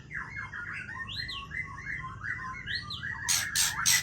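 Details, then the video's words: Midnight song of a White-rumped shama from Aceh: a flowing stream of varied whistles and short arched notes, ending in three loud rasping, crackly bursts. "Murai Aceh Bergaya Tengah Malam"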